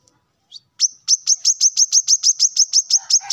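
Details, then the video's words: Male plain-throated sunbird singing in the morning, calling rivals: after a few soft opening notes, a steady run of about fourteen sharp, high, clipped chips comes in quick even succession. "kolibri kelapa manapun pasti ikut nyaut dengar suara ini"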